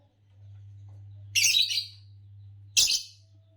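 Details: Green Fischer's lovebird, the common green form: two separate harsh, high, buzzy chirps about a second and a half apart, over a steady low electrical hum.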